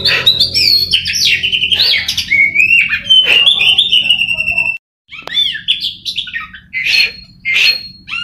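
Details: Oriental magpie-robin, a kacer trained patiently for contests, sings varied whistles and harsh scratchy notes, pauses briefly, then returns with clipped chirps and rasping bursts roughly every half second; low hum beneath.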